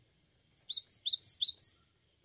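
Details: High, clear song of a cinereous tit (gelatik batu): six evenly spaced, sharp whistled two-part notes delivered in just over a second against near silence.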